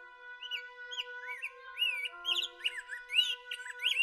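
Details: Rose-breasted Grosbeak in Ontario, Canada, a warm-season visitor to backyard feeders in early spring, sings a rich, fast, robin-like warble of slurred rising and falling whistles, likened to a caffeinated robin, over a steady drone of held tones.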